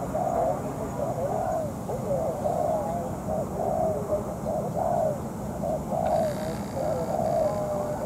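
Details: Spotted dove decoy, molting yet taken out at night for trapping, answering a wild bird; repeated hoarse coos about once a second, with low rumbling noise and a brief burst of higher hiss near the end.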